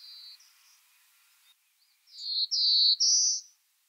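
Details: Black-throated blue warbler at Heaven Hill, Essex County, New York, in the Adirondacks, 26 May 2023, singing three slow, buzzy notes, the last one higher, after fainter buzzes at the start.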